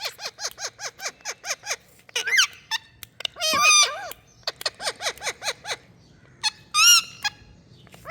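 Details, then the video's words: Parrot in India giving a fast run of harsh, harmonic squawks, about ten in the first two seconds. Then come louder rising and falling calls, a noisy burst near the middle, and more evenly spaced squawks to the end. "Talking Parrot"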